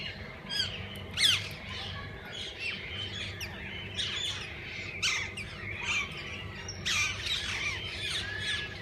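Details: Walk-in parrot-park aviary full of parakeets that visitors can feed and hold; lively chirping and tweeting with intermittent loud squawks, bursts of chatter rising and falling across the whole stretch.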